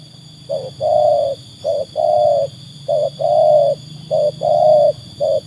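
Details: Trained spotted dove (tekukur), a bird whose quality has been tested against wild birds, cooing low and mellow in paired phrases: a short coo and then a longer, slightly arched coo, about three pairs every two seconds, over a steady low hum and faint high tones.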